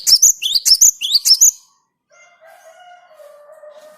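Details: Cinereous tit song for luring birds: a run of crisp, rising two-part whistles repeated rapidly for over a second. Then it stops, leaving faint low sustained tones in the background.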